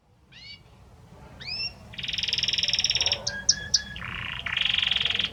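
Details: Belgian canary singing to its female, starting with soft paired upslurred whistles, then a steady buzzy roll, a few sharp clicking notes and a lower dense buzzing tour.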